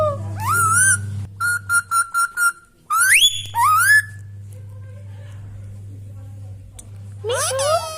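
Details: Pet Indian Ringneck parrot kept indoors, giving rising whistled calls and a run of short repeated whistled notes, then harsh squawks, over a steady low hum and music.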